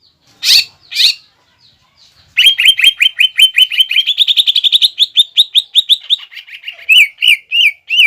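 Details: Green leafbird singing fighting-style material to rouse a rival leafbird. Two loud chips are followed by a long, fast, accelerating trill of sharp notes, ending in a few separate rising whistles.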